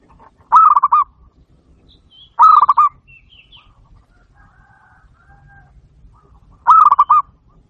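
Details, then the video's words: Local zebra dove in a training recording to make other doves answer: three brief bursts of rapid, throbbing coos spaced two to four seconds apart, with faint chirps of other birds in between. "masteran burung perkutut lokal gacor dor"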